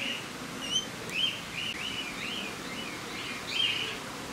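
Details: Australian king parrot at Campbelltown Forest of Wild Birds, Saitama, on 31 March 2018, giving a run of thin, high, squeaky chirps, some sharper accented notes standing out, over a steady background hiss.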